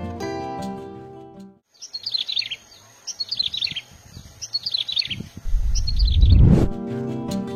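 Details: Yellow-bellied Prinia, found in Southeast Asia including Indonesia and from Pakistan to southern China, sings short, high, chirpy twittering phrases in quick succession, with background music before and after and a rising whoosh near the end.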